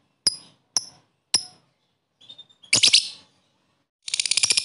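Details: Lovebird calls meant to spur lazy, lethargic lovebirds to sing; three brief thin high ticks, a faint soft whistle, then a dense harsh burst and a rapid rattling series of chirps.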